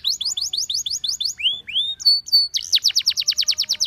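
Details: Canary singing to call other canaries to sing: a run of paired chirps, two long rising whistles, a flat pure tone, then a loud fast trill of repeated notes.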